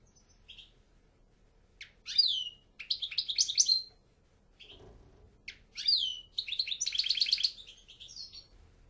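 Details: European goldfinch giving scattered song phrases of sharp chips, downslurred whistles and a fast buzzy trill, separated by quiet pauses, with faint low background noise.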